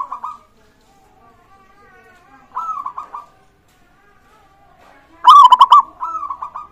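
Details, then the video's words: Local zebra dove singing as a lure to prompt other birds to sing: soft ringing coo phrases, each rising into a quick stuttering trill, three phrases with the loudest and richest near the end, quiet pauses between. "pancingan burung perkutut gacor suara disukai bikin cepat bunyi langsung nyaut"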